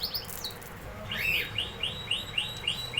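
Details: Canary repeating bright upslurred notes about four times a second after a brief higher twitter, clear and rhythmic against soft background noise.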